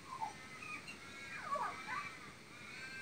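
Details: Magpie mimicking horse and parrot sounds: faint, quiet sweeping whistled notes that glide down and then back up, like a distant whinny, over a hiss of background noise.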